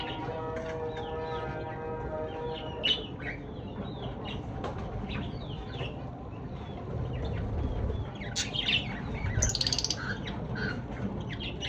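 Lovebirds chatter in quick, shrill chirps and squeaky twitters, with sharper bursts near the end, over a steady low rumble and a brief humming tone early on.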